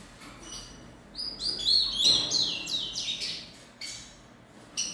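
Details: A young rufous-collared sparrow (Zonotrichia capensis), three months old, sings a rambling run of high, thin whistled and chirped notes.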